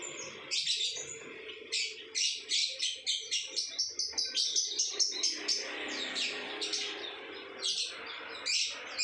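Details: Lovebird giving its ngekek chatter: a long, rapid string of harsh, high chirps, speeding into a dense run mid-way, then slowing to scattered squeaky notes, recorded in a small room.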